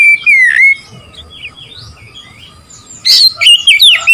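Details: Oriental magpie-robin, singing to provoke rival birds: one long, sliding whistle, then a quiet gap with faint chirps, before a harsh burst and a fresh run of quick warbled whistles.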